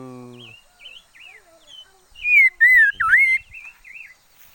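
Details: Liocichla used as a decoy bird, singing a run of clear, wavering whistled phrases that swell into three loud slurred notes before fading, with a brief low hum at the start.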